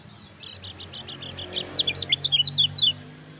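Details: Energetic lemon-bellied white-eye, played to encourage quiet birds to sing: quick sequence of clipped, buzzy repeated notes turning into high, sharply slurred chirps, about twenty notes in three seconds.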